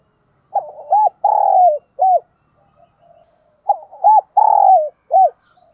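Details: Decoy spotted dove from Vietnam cooing: two phrases of low, hollow coos, each a quick double note, a longer drawn-out falling coo and a final short note, roughly three seconds apart, with no other sounds.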